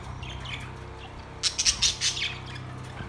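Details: Caged budgerigars recorded on September 2, 2023: a short burst of bright, scratchy warbling chirps lasting about a second, over a steady low hum.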